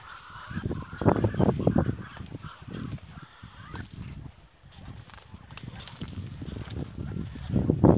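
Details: Ducks communicating with one another in a trilling, purring chatter: rapid low murmuring pulses in dense bursts, strongest around the first two seconds and again at the end, with faint higher nasal notes above.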